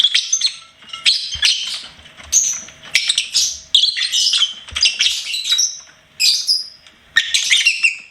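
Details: Pet lovebird singing and chirping in dense, scratchy high-pitched phrases, rapid squeaky notes run together with brief pauses, occasional faint low knocks underneath.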